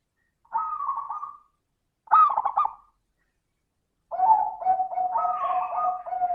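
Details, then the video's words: Local zebra dove singing in 'suara kristal' (crystal-voice) style, a lure recording to coax lazy doves into song: two short throaty coo bursts spaced apart, then a sustained rolling, vibrating coo phrase. "Pancingan suara burung perkutut - suara kristal"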